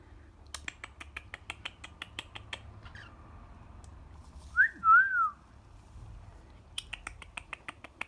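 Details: A one-year-old female cockatiel, outdoors, gives a brief clear whistle that swoops up and then slides down between bursts of tapping clicks; her owner thinks she is trying to talk.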